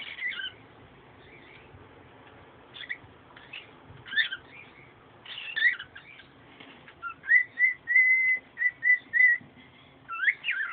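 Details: Pet bird singing indoors: scattered squeaky twittering notes, then a series of clear, steady whistled notes repeated in quick succession, with faint background hiss.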